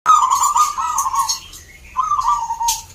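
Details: Zebra dove singing at a local songbird contest in Salatiga, Central Java, Indonesia: two warbling, slightly falling, rolling coo phrases, with a constant high hiss and faint chirps from other birds nearby.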